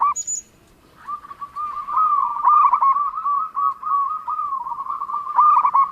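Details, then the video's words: Vigorously singing local zebra dove with a distinctive voice: a brief high whistle and a coo start things off, then after a pause comes a long, wavering, rapidly pulsed cooing trill ending in a louder stutter. "perkutut lokal gacor_ suara mempunyai ciri has"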